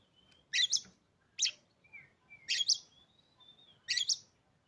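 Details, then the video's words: Caged Oriental magpie-robin, bought three days earlier after refusing to sing for its previous owner, delivers bursts of harsh, scratchy double notes between thin, level whistled tones and a short lower whistle, with a quiet background. "hanya hitungan detik kacer kamu pasti langsung gacor"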